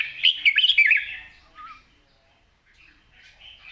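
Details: A red-whiskered bulbul gives one loud, fast warbled phrase of bright looping whistles in its long wild-style song with 'rik' notes, followed by a faint low whistle and near quiet.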